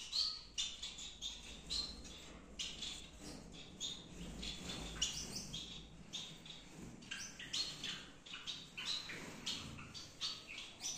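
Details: A busy chorus of Gouldian finches in a Peshawar breeding aviary, with dense, repeated high chirps from many birds over a low background hum.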